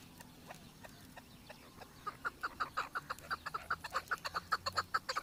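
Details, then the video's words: Chukar partridge in Pakistan, called the national bird and a ghumi parinda: a rapid run of short clucking notes about eight a second, building in loudness, with a faint noisy background. "چکور کی مستی آواز دیکھو"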